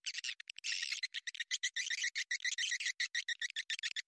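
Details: Swiftlet attracting sound for a bird house: loud, rapid chattering of harsh high chirps, pulsing several times a second without pause.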